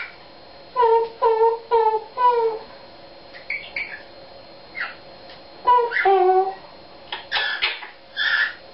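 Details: Pet Eclectus parrot singing a self-invented song: four similar stacked, nasal, down-slurred notes in a row, scattered squeaks, another pair of notes, then harsher squawky syllables.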